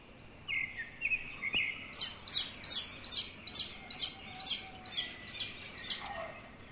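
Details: Newborn chicks peeping: after a few softer, lower notes, a steady run of about eleven high, arched cheeps comes at roughly two and a half per second. There is a light background hiss.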